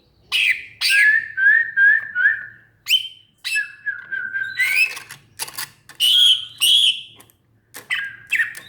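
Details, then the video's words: Greater green leafbird in a varied, busy passage: short stuttering whistles at steady pitch, bright upward sweeps and harsh bursts, closely packed with few pauses. "Burung Cucak Ijo"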